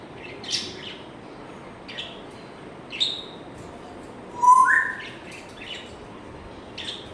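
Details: African grey parrot kept as a pet, making scattered soft high chirps, then a clear whistled note that jumps upward, followed by a few more faint clicks and tweets.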